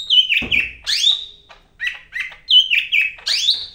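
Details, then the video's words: Greater green leafbird of the Medan type, known locally as cak ijo, singing vigorously: sweeping whistled notes that slide down and up, a dull thump near the start, then repeated falling and rising slurred phrases. "BURUNG CAK IJO MEDAN GACOR NGAMUK"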